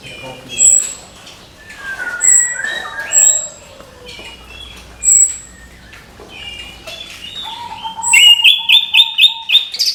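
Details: Orange-headed thrush song in the morning: scattered thin high whistles and short warbled phrases, ending in a fast, regular series of repeated rising chirps.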